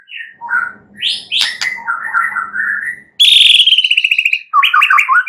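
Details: Shama song used at night to prompt other birds to sing; varied whistled phrases over a faint hum, a sudden loud fast rattling trill, then quick looping chirps.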